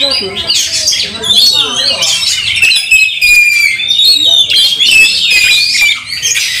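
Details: Oriental magpie-robin worked up to fight, tail spread, heard with a steady run of thin high whistles over harsh chattering and scratchy bursts.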